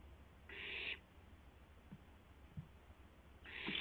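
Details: Barn owl nest camera, just after midnight on 12 April 2016, an owlet testing its wings; two breathy hissing screeches about half a second long, with faint taps between them and a low background hum.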